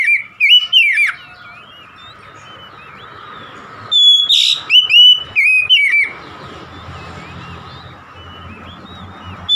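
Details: An oriental magpie-robin delivers vigorous gacor song: short clusters of sweet, rising and falling whistles and sharp chips, a brief burst, a longer phrase mid-way, then near silence with faint hum.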